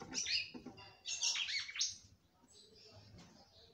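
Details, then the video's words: Female red-cowled cardinal singing to stir up the male: two short bursts of sharp, slurred chirps and a descending sweep, then faint trailing notes. "FÊMEA DE GALO DE CAMPINA CANTANDO MUITO PRA FOGUEAR SEU CAMPINA."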